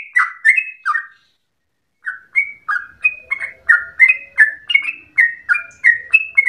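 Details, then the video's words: Gacor sooty-headed bulbul (trucukan) with a long ropel resembling a straw-headed bulbul: a few quick whistles, about a second of silence, then a dense run of bright notes to the end. "Trucukan gacor ropel panjang narung suara berasa cucak Rowo"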